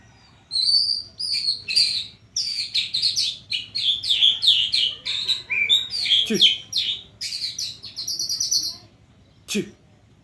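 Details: White-rumped shama being sunned in the morning, singing a varied run of loud whistled and buzzy phrases, some rising and falling, for about eight seconds, with two brief lower sweeping notes and quiet background hum.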